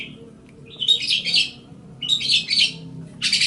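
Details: Long-tailed shrike (cendet/pentet) master song for training songbirds: dense scratchy warbled phrases of high chattering notes in bursts about a second long, separated by short pauses, over a low hum.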